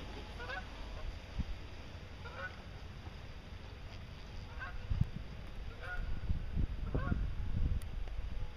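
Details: Wild geese stopping over at Meerbusch on migration south (Canada, greylag, Egyptian, shelduck, barnacle, brent, white-fronted, bean geese) give short, nasal honks in scattered bursts, several calling at once over low wind rumble.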